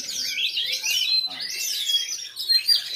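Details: Competition song of a black Oriental magpie-robin showing bowing style, at a routine practice contest held 9 January 2022 in Lhokseumawe: continuous high, varied whistles and slurred notes, with other birds overlapping.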